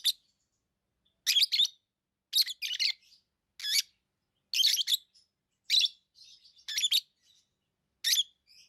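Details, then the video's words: Pet lovebirds repeat sharp, buzzy high chirps, singly or in quick doubles, roughly once a second, with a few softer twitters in the gaps. "Love birds Sounds | lovebirds chirping sounds"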